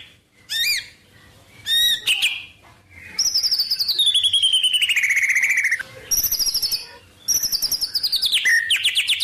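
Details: Song of a white-rumped shama filled with wild-bird phrases: brief chirps, then a high, fast trill gliding down in pitch, followed by more clipped, high trills and a rising whistle.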